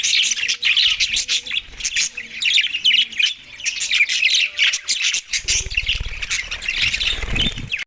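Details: Australian budgerigars eat soft food on December 4, 2023 amid lively overlapping chirps and buzzy warbles. Steady low tones sound early on, and a brief rubbing noise is heard near the end.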